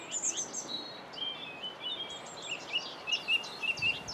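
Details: Whitethroat singing at Saltersford Locks on 8/5/2013: a faint, quick, scratchy warble of high, thin notes in short bursts, set against a steady hiss of background noise.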